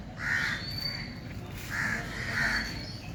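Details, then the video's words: A crow calls with rough, nasal caws, two paired near the start and two more near the end, separated by a short pause; quiet outdoor background. "crow 🐦‍⬛🐦‍⬛🐦‍⬛ original voice । kaga original voice ।"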